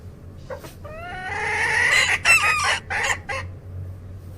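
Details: Chickens of assorted kinds in a flock: a long rising crow with layered harmonics, then several loud, harsh clucking bursts spaced about a third of a second apart.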